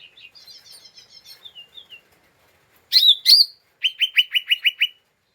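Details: Lesser green leafbird's excited ngeriwik chattering, a lure to provoke other birds: soft twittering, two loud slurred notes, then six rapid, sharp, bright chirps in a quick row.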